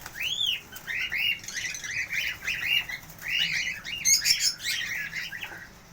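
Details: Cockatiels calling: a busy stream of short, shrill, chirping squawks, rising then falling and repeated several times a second. One clear upswept whistle opens the sequence, followed by a few higher sharp notes later.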